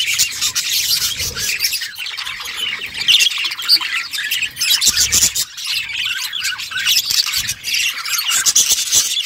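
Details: Budgerigars playing with one another fill the air with loud, dense, buzzy chirping and squawking that barely pauses.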